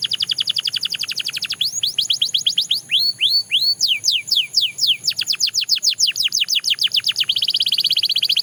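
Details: Singing Belgian canary: a fast trill of sharp descending ticks, then looping upswept and downswept whistles, another rapid rattle, and a final buzzy rolling phrase. The song is loud and continuous.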